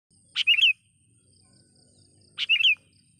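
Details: Sooty-headed bulbul calling to a rival and used to lure wild bulbuls: two short phrases about two seconds apart, each a sharp chip followed by bubbly, rising whistled notes, over a faint insect drone.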